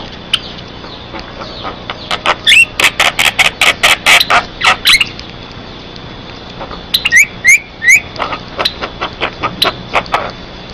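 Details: Asian pied starling in energetic song, meant as a lure to prompt other starlings to sing and for training: a rapid run of harsh scratchy notes, a brief lull, then repeated rising whistled slurs mixed with rasps.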